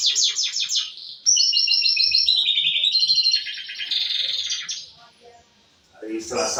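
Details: Canary song with LB and cililin fill-in phrases, recorded on 28 May: rapid high trills and buzzy rolling runs at shifting pitches, then a pause and a lower noisy burst at the end.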